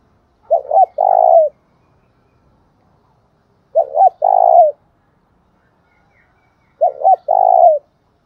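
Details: Lure calling by a spotted dove, the thúc bổi style meant to stir another dove: three evenly spaced phrases about three seconds apart, each two quick bent notes followed by a longer, steady, purring coo, with clean silence between.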